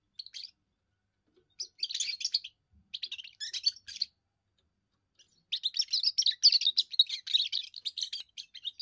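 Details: European goldfinch, a young bird in first song, singing to defend territory and court females: short twittering bursts in the first half, then a long unbroken stream of fast, jingling chatter.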